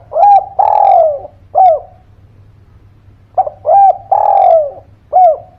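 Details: Spotted dove lure call for coaxing quiet birds: two matching phrases, each a short coo, a long downward-sliding coo and a brief arched ending note, separated by a pause of about two seconds over a faint hum.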